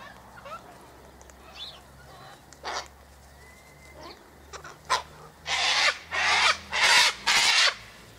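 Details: Sulphur-crested cockatoos at an eastern gate, eating scattered sunflower seeds, wheat and birdseed; scattered faint calls give way to four loud, harsh raspy screeches in quick succession at the end.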